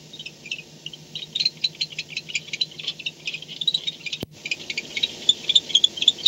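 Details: Nest-camera recording of barn owls at 4:38 am on 2-10-16 as one arrives home: uneven high clicking chatter builds, broken by one sharp pop, then resumes with brisk, closely spaced ticks.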